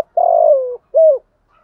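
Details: Spotted dove cooing to excite other doves: a single long, soft, slightly falling coo followed by a brief arched hoot, in near silence.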